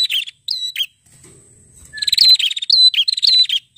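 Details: A prinia, called a red-headed prenjak and kept as a "fighter" songbird, sings loud, high chirps and rapid buzzy trilled bursts in quick repeated phrases, with a brief pause before a thin whistle.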